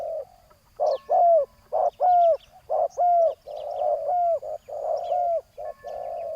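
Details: Spotted doves, a ground decoy and a loud rival being lured, trade low hollow coos in a steady stream of about one a second, some notes curving downward, voices overlapping, light twittering of other birds above.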